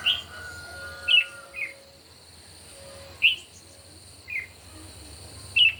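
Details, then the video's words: Red-whiskered bulbul in a morning singing duel gives short, crisp whistled notes roughly every second or two, some single, some paired. Faint lower whistles and a steady high-pitched drone sit underneath. "Chim Chào Mào Hót Đấu Buổi Sáng Cực Căng."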